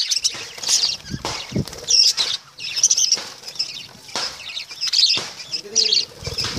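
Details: Lovebirds, small social parrots, give high shrill chirps and squeaky chatter in irregular bursts, mixed with repeated wing flutters and rustling.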